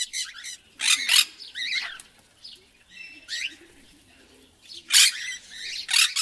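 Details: Loud, grating squawks from a parrot, mixed with warbled, wavering chirps and soft chatter in between.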